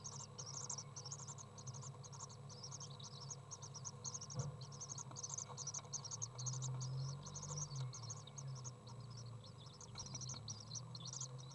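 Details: Three common swift nestlings in a nest box getting fed on 15 June 2011; rhythmic high chittering pulses about four per second, with low rumbling bumps and hum beneath.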